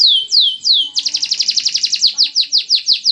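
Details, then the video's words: Canary singing on a perch, kept for song contests; a few descending whistled sweeps, then a rapid bright trill of repeated notes about six per second, followed by slower down-slurred chirps. "Kicau Anteng Kenari"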